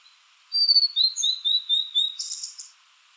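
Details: Blue-and-white flycatcher, a summer visitor to low mountains, singing from a treetop or dead branch: clear, slow whistled notes that slide down, then a run of short repeated phrases, ending in a harsh buzzy burst.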